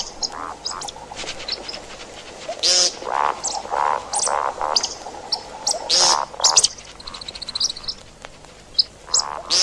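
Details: See-see partridge calls for hunting: repeated mellow notes and harsh rasping bursts in uneven series, with scattered high ticks, somewhat busy and layered.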